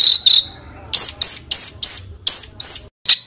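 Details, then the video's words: Competition-bird master recording: two quick high chirps, a pause, then six short, sharp, high chips evenly spaced about a third of a second apart, with a final double note. "SUARA BURUNG MASTERAN BURUNG LOMBA"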